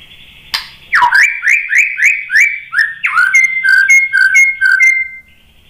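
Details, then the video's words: White-rumped shama lure song (pancingan) used to stir shamas into reply. A sharp click leads into rising slurred whistles repeated about every half second, then paired fluty notes. "SUARA MURAI BATU Untuk Memancing EMOSI JADI NYAUT GACOR"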